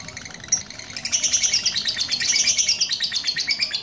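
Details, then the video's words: Lovebird kept by a handler in Pucakwangi, Pati, singing after a single blowing treatment: a short pause, then a continuous stream of rapid, scratchy high chirps and twitters, steady and unbroken to the end. "Suhu Dukun Burung Lovebird Satu Kali Tiupan Molor 5 Menit"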